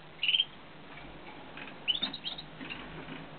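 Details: Siskin chicks make thin, high, squeaky chirps: two brief sharp notes about one and a half seconds apart, each followed by softer, fainter twitters over a quiet background.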